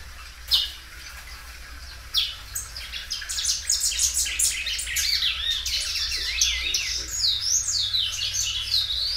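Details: Loud-singing Belgian canary, a well cared-for bird that stretches its song several times; rapid high trills and chirps run continuously, with sharp clicks early on and sweeping rolled phrases building toward the end.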